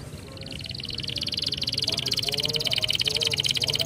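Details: Canary song played to stimulate other canaries to sing: a fast, high, continuous trill of rapidly repeated notes that grows louder, over a steady background hiss and low rumble.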